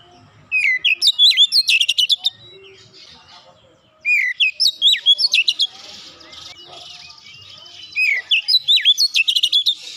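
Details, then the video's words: Oriental magpie-robin singing three bright bursts roughly every three and a half seconds, each a rapid string of whistles, upsweeps and clicks, with faint hiss between phrases. "terapi Kacer bahan cepat gacor nembak rapat"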